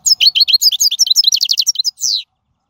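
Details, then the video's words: Wild European goldfinch, song used to teach fledglings: a continuous two-second stream of rapid, tinkling high notes, repeated twitters and a final descending buzzy note. "من أقوى اغاني | طائر الحسون | البرية"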